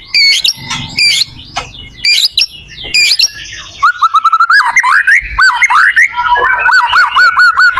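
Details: White-rumped shama song used to help other shamas learn to sing: bursts of varied high chirps and squeaky notes, then a run of clear whistled notes repeated quickly and evenly, ending in warbling phrases.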